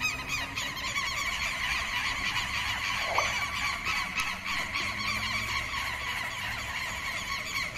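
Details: Southern lapwings give harsh, strident alarm notes several times a second in a continuous overlapping chorus. It is a predator alarm raised against intruders in their territory, given day and night, by birds of wetlands and pastures.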